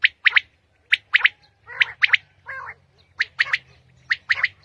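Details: Early-morning common quail song in Pakistan, locally called batair: quick clipped double and triple notes repeating about once a second, broken by a couple of harsher, lower rasping calls.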